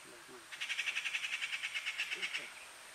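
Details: A changeable hawk-eagle (race limnaeetus) in Corbett National Park, India, November 2023, gives a quick, even series of about seventeen shrill, high notes over two seconds, with a faint steady insect hum behind.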